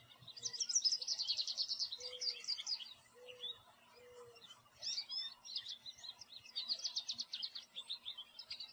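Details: Backyard American goldfinch sitting in a tree, chirping away in song: long high twittering phrases of rapid buzzy trills and chips, a brief pause midway, then another burst of twittering; faint low tones and hum in the background.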